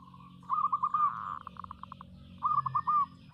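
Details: Zebra dove of a local strain in full song, giving quick rolled cooing phrases of four to five notes with short pulsed notes between them. A low hum sits underneath.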